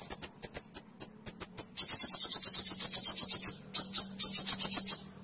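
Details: Sunbird used for training songbirds: a fast, high, buzzing trill of evenly pulsed notes that swells, briefly pauses, then continues, over a faint low hum.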